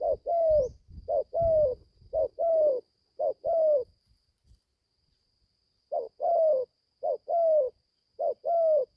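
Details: Young caged spotted dove in Gia Lai, Vietnam, on its first outing to forest training; repeated coo phrases, each a short note plus a longer downward-sliding coo, given in a run of four, a two-second silence, then three more.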